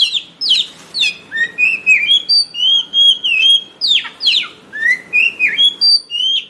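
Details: White-rumped shama song used for luring and training birds: sweeping downslurred notes, then rising whistles and mellow level whistled phrases, repeated in a rich, varied pattern.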